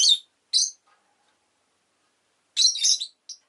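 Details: Rosy-faced lovebird giving two short, shrill chirps half a second apart, a pause, then a longer rapid chattering burst and one last brief note.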